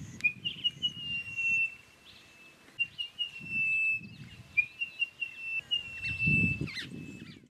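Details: Orange-breasted bush-shrike calling at Satara in Kruger National Park: a long series of clear, level whistled notes at a steady high pitch, nearly continuous for over seven seconds, with low rumbling background noise in bursts.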